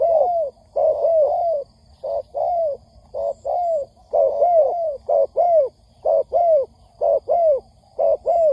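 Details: Spotted dove coos from a recording used to lure birds for trapping: a dense stream of short-long hoarse coo pairs, sometimes overlapping, at about one per second.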